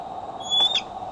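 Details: Bald eagle at Decorah, caught by an eagle cam on July 6, 2011, afternoon or evening: one short, thin, high whistled note that levels off, over a steady low hum.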